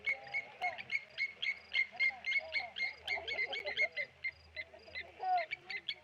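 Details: Blacksmith lapwings dive at a Tawny eagle by the Okaukuejo Resort waterhole, calling in bright metallic tinks at a steady quick pace, with softer, lower chattering notes mixed in beneath.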